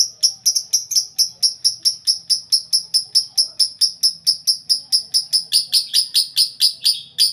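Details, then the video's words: Several lovebirds kept in one cage, noisy and in full voice: a steady, rapid series of sharp, high chirps, about four each second, continuing without pause. "Burung Lovebird Di Buat Satu Kandang Bikin Ribut Sampek Gacor Kali"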